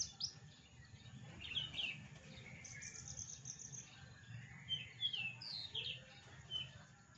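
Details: Mimicking Javan bush lark gives a fairly faint, varied medley of high, thin, sharp chirps and quick downslurred whistles, copying other songbirds such as prinia and canary, with steady low rumble behind.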